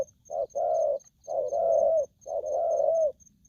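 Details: Aggressive spotted dove gives low, hoarse coos in pairs: a short note, then a longer rolling one with a slight rise at the end. Three pairs about one second apart, with a faint high ticking throughout.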